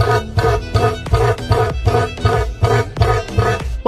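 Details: Rhythmic plucked-string music with a steady repeating beat plays throughout.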